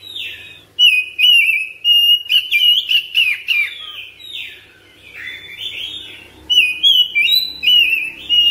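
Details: Home-kept oriental magpie-robin in daily training, singing its continuous long-breath ngropel style: loud clear whistled phrases, sliding and warbling, with sharp high notes packed in bursts and short pauses between.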